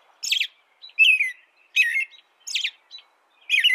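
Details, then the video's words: Five short phrases of American robin song, alternating high squeaky notes and lower slurred whistles, spaced roughly three quarters of a second apart. "canto de robin americano AMERICAN ROBIN"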